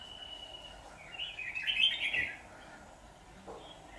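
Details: Red-whiskered bulbul decoy at a trapping session, 23 September 2019, slender long-bodied bird singing to provoke wild males: a thin steady whistle, then one loud, rich, rolling warble lasting about a second, followed by quiet.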